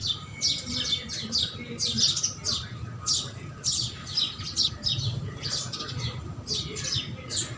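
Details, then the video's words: House sparrows give a steady stream of short, bright chirps, several overlapping, roughly every half second, over a low background rumble. "House Sparrow Sound"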